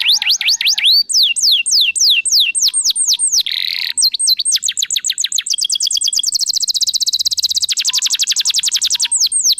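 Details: Persistently singing canary, recorded as a lure to get other canaries singing, runs through its repertoire: hooked falling whistles, a brief buzz, fast rising chirps, then a long, very rapid high-pitched trill lasting several seconds.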